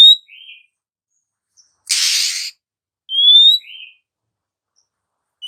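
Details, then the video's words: Female Oriental magpie-robin singing as a lure for lazy, quiet males. Clear upward-sliding whistles, each trailed by a short lower slurred note, with a harsh rasping burst between them. "SIULAN MAUT DARI KACER BETINA . PANCINGAN AMPUH KACER LELET DAN MALAS BUNYI"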